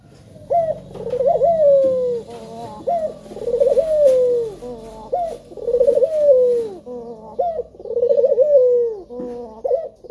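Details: Male spotted dove giving a lure call to prompt other doves to sing: repeated cooing phrases, each a short rising note followed by a long warbled coo that slides downward, about every two seconds, in a small room.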